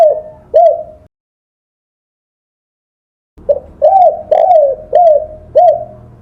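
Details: Spotted dove, recorded as training audio for songbirds: two soft coos, a silent stretch, then five evenly spaced low coos, each swelling upward and dropping away, with light background hiss.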